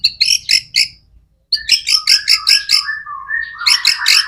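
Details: White-rumped shama singing steadily ('gacor'), played to spur other shamas into song: bursts of harsh, rapidly repeated chattering notes, a brief silence, then a longer run of regular buzzy notes over a lower whistled tone.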